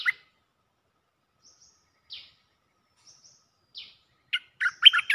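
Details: Cream-vented bulbul mate call from a looping lure recording. Sparse thin falling squeaks and faint high whistles are followed by the start of a quick, chattering burst of bubbly notes.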